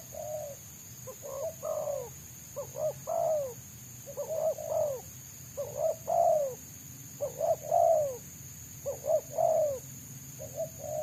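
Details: Wild spotted dove with a dense, fast voice in the selang nguku style, sought by trappers using a decoy bird: low cooing phrases, each a quick pair of notes then a longer rolling coo, repeated about every one and a half seconds, over a steady high hum.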